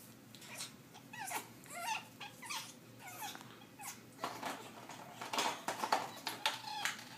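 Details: A pet African grey parrot in a hormonal phase at that time of year gives a string of quick, wavering, nasal notes that bend up and down. These are followed by louder rasping bursts and a few thin squeaks, repeated at an uneven pace.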